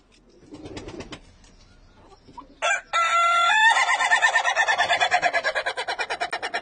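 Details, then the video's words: Rooster crowing, its call likened to an old 1920s motor car: faint clucking at first, then a sudden loud harsh crow that breaks into a long rattling, pulsed stutter lasting several seconds. "cock Chicken 🐓 🍗 Sounds like 1920 motor car"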